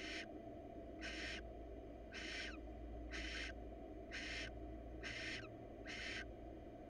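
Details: Hissing solicitation screeches from a wild female barn owl inviting her mate, who declines, in hot weather before breeding begins: seven harsh, noisy bursts repeated about once a second, some ending in a slight downward rasp, over low hum.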